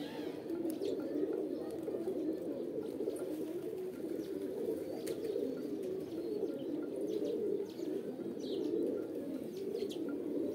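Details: A long stretch of continuous low pigeon cooing from a group, rolling and pulsing evenly throughout, with sparse high clicks scattered across.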